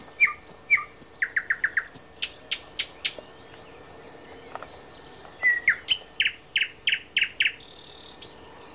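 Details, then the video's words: At Háj by Turčianske Teplice, Slovakia, a thrush nightingale sings high whistles and clicks, rapid trilled series, spaced ringing notes and a closing fast run of hard strokes, with a faint buzzy sound near the end. "Luscinia luscinia - Slávik veľký"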